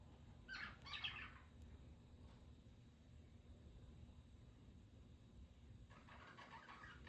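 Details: Three budgerigars (Coco, Rico and Snow) give short bursts of bright, scratchy chirping over a steady low hum.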